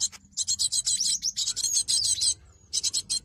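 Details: Buzzy, rapid chattering of a cinereous tit meant as a lure for trapping, a near-continuous harsh run with thin whistled notes woven through, then a short pause and a final burst.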